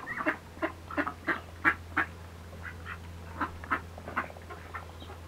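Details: Red-billed teal giving short, nasal quacks in irregular runs of two or three, some louder and rasping, with a constant low hum underneath.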